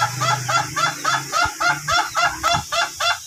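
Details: Ayam Ketawa cock of the duration type, trained for a long crow, makes repeated laughing 'ha' syllables, about four each second, with low thumps and hum in the background.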